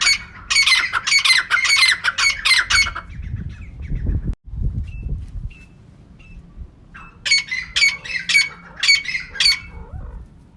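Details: Female francolin calling, a recording offered as a lure for catching birds: two bursts of rapid, harsh, squawking notes, each lasting about two to three seconds, separated by a quiet stretch with a few faint short whistled tones and low rumble.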